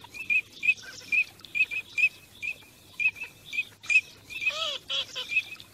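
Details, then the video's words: Migrating teal whistle in short, high, evenly pitched notes at about two a second, ending with a few rasping, nasal quacking calls. "teal call migration song"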